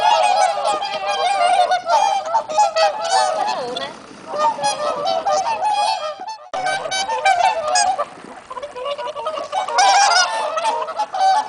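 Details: Swans calling on a calm, windless, sunny late-autumn day in warm sunshine. Many overlapping nasal honks form a dense, continuous chorus, with calls layered on one another and a brief lull just past the middle.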